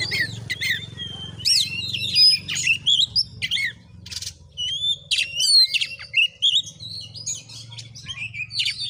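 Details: Fighting Oriental magpie-robin, singing strongly at a village house in Padang Gading, Bengkulu, Indonesia: a varied stream of high whistles, quick slurred chirps and brief rasping bursts with short gaps between phrases, a low hum beneath.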